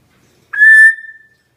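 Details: Senegal parrot trained to whistle on command, answering the owner's cue with a single clear whistle just under a second long, holding one steady, fairly high pitch before fading.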